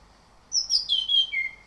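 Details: Orange-headed thrush song used as a lure to prompt a kept bird to sing full rolling song (ngerol) in the morning: a short run of clear, high whistled notes sliding downward in steps, over quiet background.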